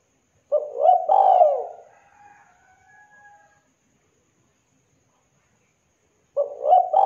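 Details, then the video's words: Lively zebra dove with a clear, thick voice: a full rolling coo phrase, a quiet trailing tail, several seconds of silence, then the next coo beginning. No other sounds. "TEKUKUR GACOR KUK 2 JERNIH SUARA TEBAL MEWAH"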